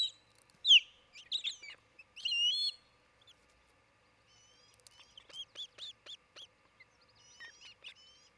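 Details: Osprey at a nest near Charlo, Montana, on June 27, 2018, late morning, recorded by a nest camera. A burst of loud, high, clustered whistled notes is followed by quieter quick chips and thin whistles.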